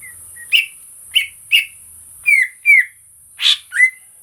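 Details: Greater green leafbird recorded live as a lure and therapy sound for kept birds: sharp chirps roughly every half second followed by falling whistled slurs and a buzzy note, against continuous high background hiss.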